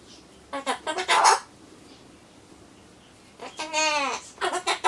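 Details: Solomons corella at home, talking to itself ahead of a pumpkin meal; a quick run of mumbled syllables, a long pause, then a drawn-out sung, voice-like tone and more chatter.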